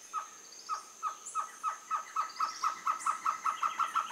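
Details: Baird's trogon at Casa Alta Vista gives a run of mellow, hollow notes that speed up from about two per second to a rapid series, with a steady high insect-like whine behind.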